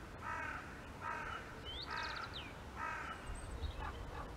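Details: One of seven common ravens flying south over the Korte Duinen dunes from the polder gives four harsh, rasping croaks about a second apart; a nearer carrion crow also calls.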